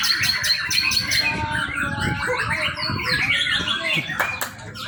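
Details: Young white-rumped shama singing as a lure for training, fast scratchy chatter with squawk-like notes and rising whistles, dense and continuous, low thumps behind.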